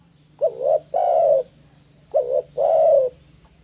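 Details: Spotted dove in breeding condition, challenging a rival: two pairs of coos, each a short bent note followed by a longer, louder rough-edged coo, in a quiet background.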